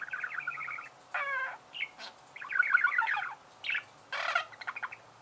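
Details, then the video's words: Budgerigar chirping in short chattering bursts of buzzy, ribbed notes, with one rising harmonic squawk and brief pauses between phrases. "Чирикает волнистый попугай"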